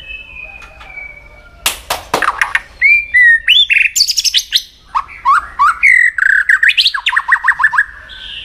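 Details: Contest-training song of a White-rumped shama: a thin held whistle opens, followed by sharp clicks and a rich, varied stream of whistles, rising slurs and quick repeated phrases ending in a trill.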